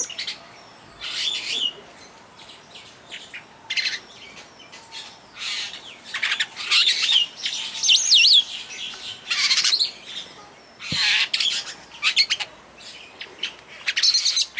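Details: Captive superb starling at Walsrode bird park, Germany, giving a long run of song: scratchy bursts and thin warbled whistles in irregular spurts, busiest midway through, with brief pauses between phrases.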